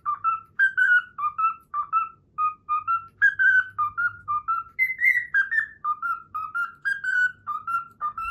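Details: Learned melody, the Pythagora Switch opening theme, whistled by a pet cockatiel: a steady string of short, clear, bouncing notes, mostly level with some higher slurred ones, over a soft low background hum.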